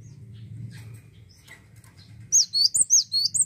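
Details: Cinereous tit (gelatik watu) singing hard: low background rumble with faint chirps, then a sudden string of loud, high, inflected notes in rapid rhythm.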